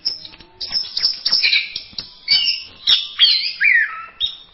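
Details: Masteran song of an orange-headed thrush (anis merah): separate bursts of sharp chirps and twittering, including a slurred, falling whistle near the end, with short gaps between phrases.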